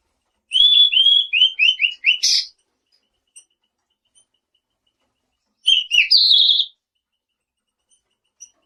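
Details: Selendang biru singing, played back as a lure that draws answers from nearby birds: a quick run of short, downslurred whistles, then a sharp burst, silence, and a second phrase of whistles ending in a buzzy trill.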